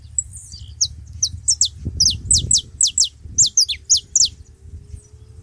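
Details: Saffron finches gathered together at a feeding spot, calling noisily: a quick run of high, sharp, downward-slurred chips, roughly two per second, with faint low rumbling beneath.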